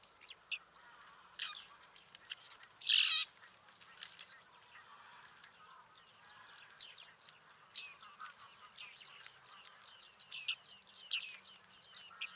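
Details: Bearded reedling at Liepāja, Latvia, July 2023: scattered high, clipped pinging notes from several directions at varying loudness, with one louder rasping burst early on, set against faint reedbed ambience.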